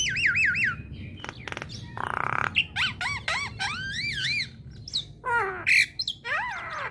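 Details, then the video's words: Female black-winged starling singing to make other starlings respond: a varied run of repeated rising whistles, harsh buzzy rasps, sharp clicks and looping slurred notes, with short pauses between phrases. "Kicauan Jalak Kebo Betina Bikin Jalak Kebo Yang Dengar Langsung Respon"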